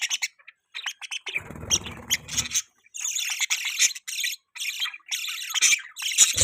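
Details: Pet budgerigars chirping in a dense scratchy chatter of rapid buzzy notes, with a low rumbling noise near the start, then steady overlapping chirps to the end.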